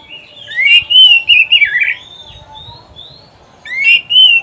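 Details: Kacer, the oriental magpie-robin, in a training recording for caged birds: long fluid whistled phrases rising and falling, a brief quiet gap, then a fresh bright whistled phrase.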